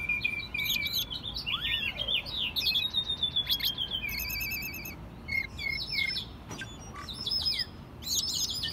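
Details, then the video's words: Caged American robin, a pet raised from a chick, singing in spring in Mexico City, recorded March 2020: dense run of sharp chirps, slurred whistles and buzzy trills, high-pitched, with steady background hiss. "Mirlo Primavera, el pájaro melómano cantando en CDMX"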